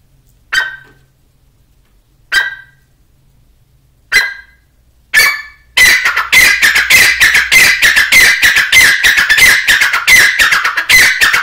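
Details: Grey francolin associated with hunting: four single harsh, ringing notes about two seconds apart, then a fast unbroken run of loud, grating repeated notes filling the rest of the recording.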